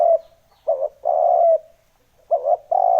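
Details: Low, hollow spotted dove coos played to lure wild doves: the tail of a long coo, then two phrases of a short wavering double note followed by a sustained steady coo.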